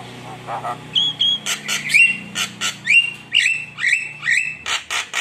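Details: Javan myna in very vocal form, recorded as a lure meant to rouse rival birds: slurred whistles sliding near 2–3k alternate with harsh, broadband rasping bursts roughly once a second, over a faint low hum.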